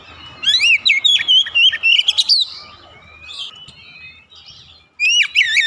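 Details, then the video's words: Oriental magpie-robin song played to stir a domestic bird that seldom sings: a rapid string of bright whistled notes and wavering slurs, a quieter pause, then another loud whistled burst. "terapi cepat mengatasi Kacer rumahan susah bunyi lekas gacor"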